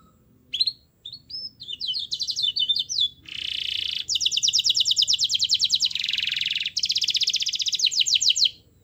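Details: A vigorous singing canary serving as a lure for a reluctant bird: varied whistled slurs and chirps give way to long buzzy rolls and rapid rattling trills in several distinct phrases.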